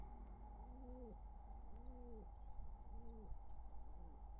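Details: Near nestlings during a wild pigeon courtship, summer 2023, soft hollow coos swell and fade in a regular series while high, level, thin squeaks sound between them; a steady hum underlies everything.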